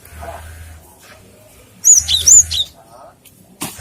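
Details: Cinereous tit, song used as a lure and for tutoring other birds; a short burst of high, thin whistled notes, some sliding up and down, over a steady low hum.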